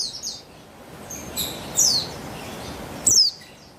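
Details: Female Javan white-eye (buxtoni) lure calls from 3/8/21, used to coax males into song: a few soft high notes, then two sharp bright chirps sliding downward, with background hiss.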